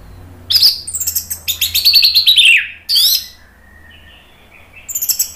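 An orange-headed thrush sings loud, rich phrases of rapid descending notes and slurred whistles, with short pauses between bursts and a quiet background.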